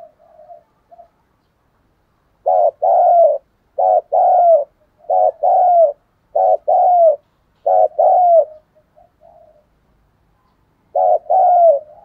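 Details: Lure spotted dove with a thổ-style voice, calling to attract wild doves: after faint soft notes, loud low coos come in pairs about every 1.2 seconds, a brief pause, then another pair.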